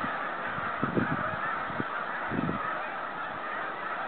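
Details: Snow geese heading home on migration, 2013: a continuous honking chorus from many birds, broken by two short clusters of low thumping pulses near one and two and a half seconds.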